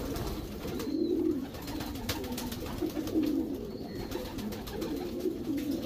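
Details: A breeding section of Racing Homer pigeons: low gurgling coos swell and fade in rough pulses about every two seconds, with taps and a faint whistle.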